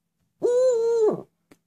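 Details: A nine-month-old female Eurasian eagle-owl (Bubo bubo) greeting her owner after a long absence: a single long, steady, mid-pitched, rich hoot lasting under a second, in an otherwise quiet room.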